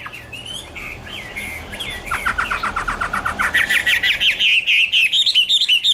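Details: Chinese hwamei (Garrulax canorus) song with soft wavering whistles building into a long rapid series of clipped, repeated notes and a rising run of quick whistled syllables at the end.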